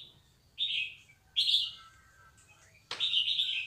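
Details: Recently moulted young white-rumped shama, its sound used to encourage juvenile shamas to learn: three separate high, thin, slightly scratchy whistled phrases spaced about a second apart, soft, with a steady low hum behind.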